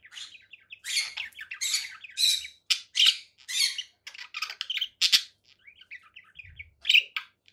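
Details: Conure parakeet producing a string of separate raspy squawks and clipped chirps, about one or two per second, with quieter chattering between louder notes.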